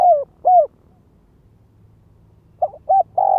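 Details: Spotted dove kept as a ground lure bird gives its luring call: the tail of one coo phrase with two mellow falling notes, a pause, then a new phrase begins with short soft notes and a rising coo.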